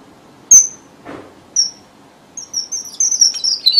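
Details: Red avadavat lure song used in bird trapping in southern Vietnam: two separate sharp high notes, then an accelerating string of thin high chirps drifting down in pitch.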